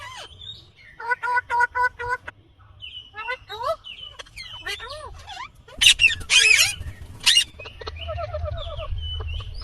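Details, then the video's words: Indian green ringneck parrot calling: a mix of rapid stuttered notes, short rising and falling whistles, and a few loud, harsh screeches, with brief gaps between bursts and a low hum underneath. "Indian Green Ringneck Parrot Natural sound/Voice"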